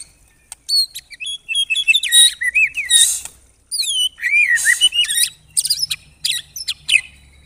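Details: Shama (murai batu) delivering a close-packed 'tembakan rapat' song used as training material for contest songbirds: clear whistled upslurs and downslurs mixed with harsh buzzy bursts, nearly continuous for seven seconds.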